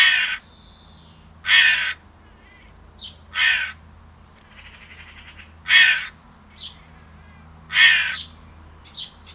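Five harsh, hoarse caws about every two seconds from a crow, with faint small chirps between them over a low steady hum.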